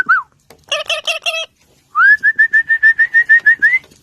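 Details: A pet parrot indoors: a brief rising whistle, a burst of harmonic speech-like syllables, then a run of about a dozen short, even whistled notes repeated rapidly, ending with a slight rise.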